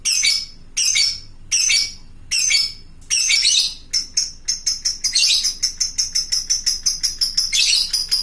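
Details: Fighter lovebird calling to other lovebirds as a lure: a few harsh high squawks, then a fast rattling series of sharp chattering notes that speeds up into a long trill.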